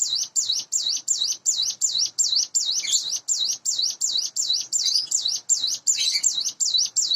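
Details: Sunda bush warbler, a captive bird reared by hand and around eight months old, sings in the morning: unbroken run of about twenty high, undulating notes at nearly three per second, some slightly harsher.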